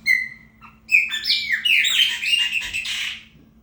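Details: Chopi blackbird (preta fumaça) singing to mark territory, opening with a clear whistled note, then a rich, fast jumble of warbled, slurred and chattering phrases for nearly three seconds over a low steady hum.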